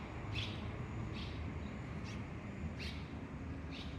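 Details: Red-rumped Swallow from a pair nesting at a home veranda, giving short bright chirps, about five spaced evenly across four seconds, over a steady low rumble of background noise.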